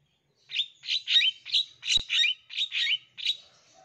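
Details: Long-tailed shrike song packed with mimicked calls, used as a lure for young wild-caught birds: eight harsh, chirpy high notes in quick uneven succession with one sharp click midway, background otherwise quiet.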